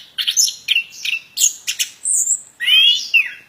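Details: Actively singing plontang bird: rapid clipped chirps followed by a sustained whistled note and a bright rising then falling slur, all high-pitched, with no background noise.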